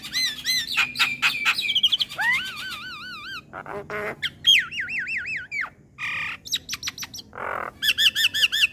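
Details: Javan myna tutor recording for young birds, packed with varied material: rapid stuttering whistles, descending wavering whistled series, harsh buzzy bursts, warbling trills and bright repeated chirps flowing continuously.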